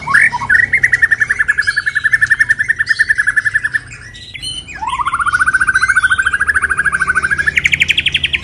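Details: White-rumped shama singing while moulting in the 'kéo thuốc lào' style: a long, rapid, buzzy trill of evenly pulsed notes held steady, a brief pause, then a second rattling trill that rises in pitch toward its end.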